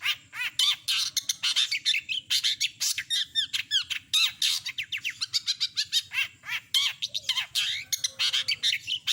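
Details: Nonstop rapid chattering of a long-tailed shrike performing a complete mimicked repertoire: closely packed scratchy notes, fast trills and up-and-down slurs with almost no pauses, over a faint low hum.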